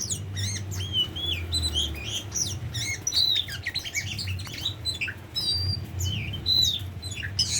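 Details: Tame Oriental magpie-robin singing a varied run of sweeping whistled notes, some rising and some falling, in quick bursts with short pauses, over a steady low hum.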